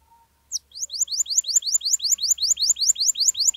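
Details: Canary song used as a lure to prompt silent canaries to sing: after a brief faint tone, a fast, even run of high rising chirps repeats about four times a second.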